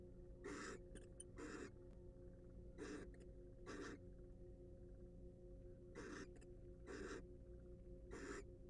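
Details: Wild barn owls in a monitored nest box make a series of short, harsh hissing rasps in loose pairs with uneven gaps, over a persistent low droning hum.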